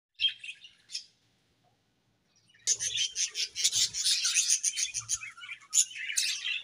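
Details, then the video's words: Budgerigars in a colony, described as happy, give two short chirps, fall briefly silent, then burst into a dense, continuous chatter of high twittering and warbling notes that runs to the end. "𝐇𝐚𝐩𝐩𝐲 𝐁𝐮𝐝𝐠𝐢𝐞 𝐒𝐨𝐮𝐧𝐝𝐬 | 𝐁𝐢𝐫𝐝𝐬 𝐒𝐢𝐧𝐠𝐢𝐧𝐠 | 𝐁𝐮𝐝𝐠𝐢𝐞𝐬 𝐂𝐡𝐢𝐫𝐩𝐢𝐧𝐠 𝐒𝐨𝐮𝐧𝐝𝐬"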